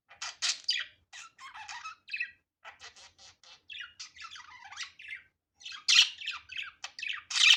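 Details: Natural, unedited budgerigar vocalising: streams of clipped chirps and grating notes in uneven bursts, about forty a minute, ending with loud, harsh squawks near the close.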